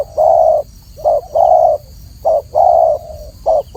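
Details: Spotted dove giving clear paired coos, a brief note then a longer even coo, repeated three times at a steady rhythm against quiet low hum.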